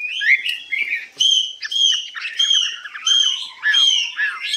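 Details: Hwamei kept in a cage, said to be 85% tame and singing high with long phrases. Clear sustained whistles alternate with short slurred notes in loose repeated bursts, with a low trill running underneath near the end.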